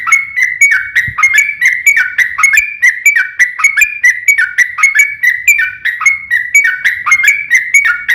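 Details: Yellow-vented bulbul singing its fighting song, a lure meant to make other bulbuls reply: steady run of short, bubbly, downslurred notes, nearly one per second, with sharp clicky edges throughout.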